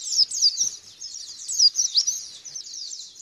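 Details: White-eye song played as a lure to prompt another white-eye to respond and sing openly: a dense, high, rapid twittering of slurred chirps and short rising whistles, with loud bursts near the start and middle.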